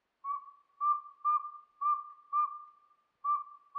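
A Northern Saw-whet Owl gives a steady run of six mellow, mid-pitched whistled toots, about two per second, monotonous and evenly pitched. No other sounds are heard.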